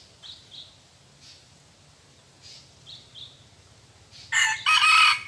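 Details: Wild red junglefowl in forest, decoy-lured, gives a loud harsh crow near the end: a short bark then a sustained rasping phrase. Earlier, small birds chirp faintly with paired high notes.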